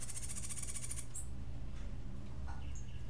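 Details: Cuban grassquit (tomeguín de la tierra) singing a rare martillito-style song: a very high, rapid buzzy trill of even pulses lasting about a second, then a few short sharp chirps, over a steady low hum.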